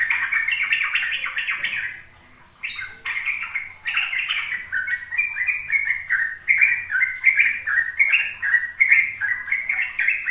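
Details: Rapid ropel song of a sooty-headed bulbul, played to young trucuk so they learn to sing: quick chattering notes, a short silence after two seconds, then steady bubbly phrases repeating about once per second.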